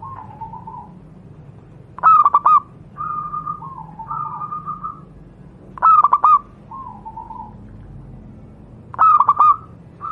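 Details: Wild local Javanese zebra dove, used for tutoring other doves, repeats a short rippling phrase of quick cooing pulses about every three to four seconds, with softer drawn-out whistled notes between phrases.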